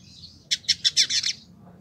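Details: Short burst from a Village indigobird tutor bird kept for a year in Bandung, West Java, Indonesia: a faint thin note, then five rapid, bright, slightly buzzy high chips run together.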